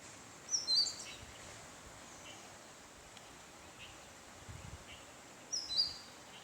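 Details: Indian robin (black-backed robin) in Sri Lanka giving two brief, high, sharp whistled phrases about five seconds apart over a steady background hiss.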